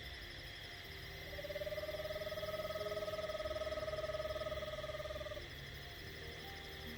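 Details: Recorded Eastern Screech-Owl trill played on a full-moon night hike in woods in early October to draw a response: a long, even trill of rapid notes at one mid pitch for about four seconds, over steady hum.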